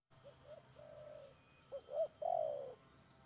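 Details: Spotted dove used as a decoy in bird trapping, recorded 31 May 2022: a soft distant coo phrase, then a louder close phrase of two short rising notes and a long, slightly falling croon.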